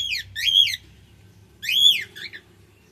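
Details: Two strong, rich whistled calls from a male cockatiel, each arching up then down, about one second apart, with a fainter trailing note after the second.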